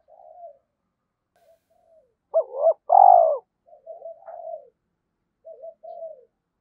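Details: Decoy spotted dove kept in daily training, calling to provoke fighting: soft low coos, then a loud burst of two clipped notes and a long strong hoarse coo, followed by quieter wavering coos, in a quiet setting.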